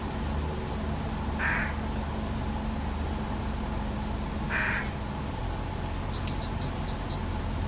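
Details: Fish crow fledgling and parents during feeding; two separate short nasal calls about three seconds apart, with faint high chirps near the end and a constant low background hum.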